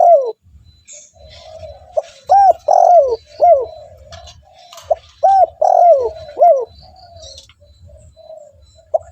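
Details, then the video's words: Spotted dove calling to lure other doves: phrases of rising-falling arched coos with long descending notes, repeated, trailing into quieter hums. "TEKUKUR GACOR 💯 Ampuh untuk pancingan burung tekukur bahan"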